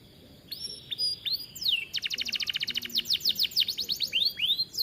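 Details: Kenari, a domestic canary kept in an aviary, singing as a training model: high steady whistles, then a dense fast trill of repeated notes followed by quick swooping downslurs.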